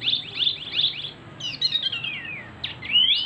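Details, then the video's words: Ashy Tailorbird, a local Javan bird believed male, singing: three quick, sharp chirps about every 0.4 seconds, then a rapid twittering run and bright rising whistles, high-pitched and loud. "wambi mini gacor ||| sikecil bersuara besar !!!"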